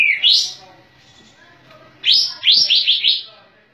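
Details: A Sooty-headed bulbul (Pycnonotus aurigaster) in full song with its tail spread: a bright rising note, then after a pause a quick bubbling run of four or five clear, upswept whistles.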